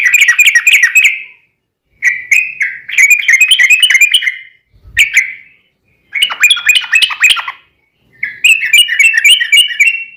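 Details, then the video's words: Rapid, long 'ropel' song of a yellow-vented bulbul, used to encourage other bulbuls to sing; repeated bursts of fast, gurgling, liquid notes about a second or two each, separated by short silences. "trucukan gacor TARUNG ROPEL ini buat pancingan trucukan agar bunyi JADIKAN burung trucuk gacor NYAUT"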